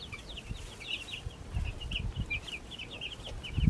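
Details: Backyard baby chickens peep rapidly in overlapping high chirps, each a brief whistled slur, with low rumbling handling noise beneath.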